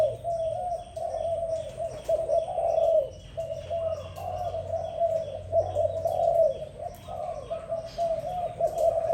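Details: A dove in the morning gives steady, soft, low cooing phrases that swell and fade every couple of seconds, with faint chirps from other birds behind.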